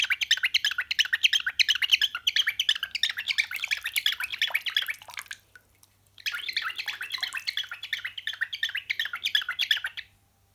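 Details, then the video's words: Pet cockatiel imitating the sound of running water: rapid, bubbly, gurgling chirps, about three per second, in two busy bursts of roughly five and four seconds split by a brief pause, over a faint steady low hum. "Cockatiel imitates the sound of running water"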